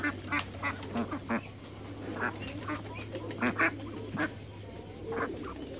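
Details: A pair of Muscovy ducks in a backyard: short, husky call notes repeated at irregular intervals, roughly a dozen in six seconds, over a steady low background hum.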